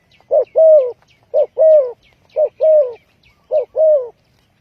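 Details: Lure call of a spotted dove used for trapping, a steady series of two-part coos, a brief note followed by a longer drawn-out one, four pairs in quick succession with faint high chirping behind.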